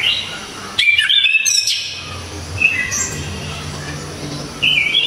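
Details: Orange-headed thrush giving its sharp, loud song: a rapid burst of varied whistled and chattering notes, followed by softer scattered phrases and a final rising whistle.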